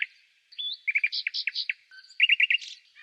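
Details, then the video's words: Common nightingale (Luscinia megarhynchos) singing: a rising whistle, then a run of short rapid notes and clipped chirps, a low soft note, and a final quick trill of repeated syllables. "Canto Do Rouxinol"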